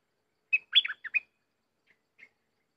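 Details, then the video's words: Wild bulbul lured by a decoy: a quick cluster of bubbly, warbled notes in one brief phrase, followed by two faint, short chirps after a pause, on an otherwise quiet background. "Burung merbah lekir bay hoach thom gacor bahanan"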